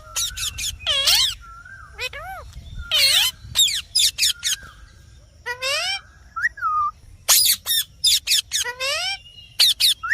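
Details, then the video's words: Green parrot mixing short sharp squawks, drooping whistled notes and arched harmonic calls in irregular bursts, busy throughout with brief pauses between groups. "Mithu Ki Awaj"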